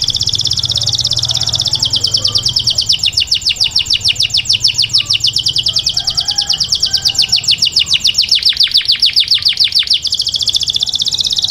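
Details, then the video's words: Grey canary singing inside its cage indoors; long sustained high song shifting from a steady whistled tone into rapid rolling trills, then back to a smooth tone near the end, over a soft low background hum. "Canari gris chantant à l'intérieur de la cage"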